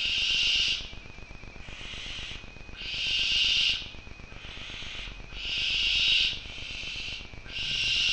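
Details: A Barn owl at a nest box in Skopje, Macedonia gives long, harsh, breathy hisses, each about a second, repeated six or seven times with short gaps; no other sounds stand out.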